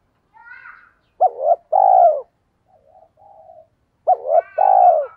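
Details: Decoy spotted dove calling to attract wild doves; soft, quiet coos lead into a loud phrase of two short coos and a long falling coo, then more soft murmurs and another full phrase.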